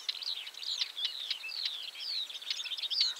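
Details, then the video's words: Dense, hurried northern wheatear song of crackling notes and slurred descending whistles, packed tightly together over a noticeable background hiss. "Northern wheatear call and song / Białorzytka"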